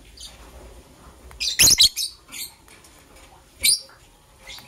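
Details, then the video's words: Green and blue lovebirds preparing for egg laying, in the morning: a dense cluster of harsh, high-pitched chirps and squeaks, a softer chirp after, then one more shrill chirp later. "Green and Blue Lovebird Chirping Sounds - Preparation for Egg Laying"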